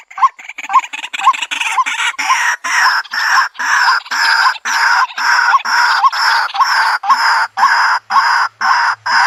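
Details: White-breasted waterhen calling, a sound used to lure birds into a trap in the countryside: quick croaks speeding into a loud, harsh, steady beat of about two notes per second, each with a rising flick.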